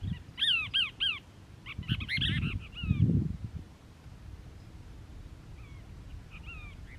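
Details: Cassin's kingbird (Tyrannus vociferans) family at Crystal Cove State Park, Moro Canyon, California, on 19 December 2021: bursts of harsh, rising-falling chattering notes, then fainter calls over low rumbling. A California Towhee's single "tink" may also be heard.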